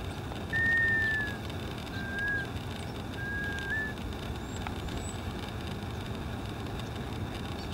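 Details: A male Black Scoter displaying to Greater Scaup at Richmond Marina, California, on November 26, 2012: three plaintive, drawn-out whistles, level then rising slightly, about a second apart, over a low rumble of wind or surf.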